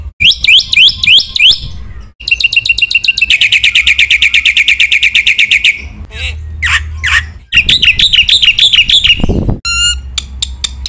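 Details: Black-winged myna masteran song meant to provoke rival mynas: varied phrases of looping whistles, a long rapid buzzy trill, harsh squawking sweeps, a mid-pitched squeal, then thin high notes.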